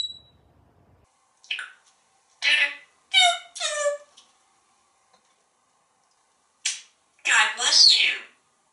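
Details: Pet African grey parrot, hatched 1997 and living in a Texas home, on a screen porch talking to birds and squirrels with animal-sound imitations: short, harsh, speech-like bursts in clusters separated by seconds of silence, some squeaky and some breathy.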